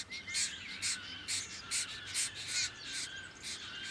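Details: A diamond firetail (Stagonopleura guttata) in Victoria, Australia, November 2014, gives high, thin, slightly rasping notes, about two each second, over a faint steady hiss.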